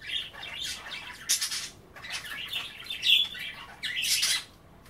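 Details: Kept budgies chatter while nibbling kale and water at bath time; continuous scratchy warbles broken by several louder raspy squawk bursts.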